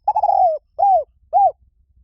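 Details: Spotted dove giving a long, slightly falling coo followed by two shorter arched coos, evenly spaced, clean and mellow against near silence.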